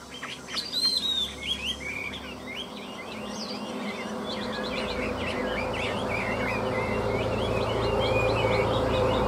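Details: Hwamei kept as a cage bird, singing at midday: a continuous run of varied whistled and slurred notes, loud at first and then steadier, over a rising broadband background hiss.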